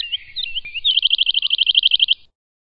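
Woodlark song: a few soft fluted opening notes, then a quick, even run of about fifteen liquid repeated notes lasting over a second, with no other sounds.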